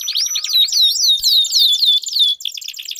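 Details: Canary singing, played to stimulate a quiet canary to sing: a string of bright descending whistled slurs in quick succession, ending in a short buzzy trill.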